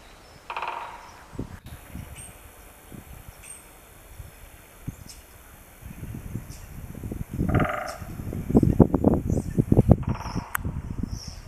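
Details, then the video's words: Woodpecker signalling to another by drumming, recorded 27 March 2018 at 11:46: two brief rapid rattling rolls, several seconds apart, over gusty low-pitched wind rumble and a steady high hiss. "mowa dzięcioła - tak jeden drugiego woła"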